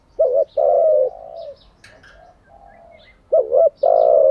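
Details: Cooing of a decoy spotted dove, used to train wild-caught and decoy birds. A double hoot and a long coo, then soft humming notes and a few faint high chirps, and a second double hoot and coo.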